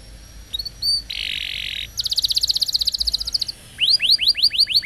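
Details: Young-canary training song: a short burst of harsh buzzing, then a long even trill of rapid pulsed notes, and finally a run of sharp rising whistles repeated quickly.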